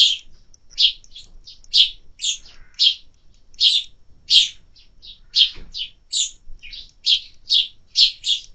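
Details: Clean run of bright, short chirps from sparrows at a summer feeder, some notes doubled, coming roughly twice per second against a quiet background.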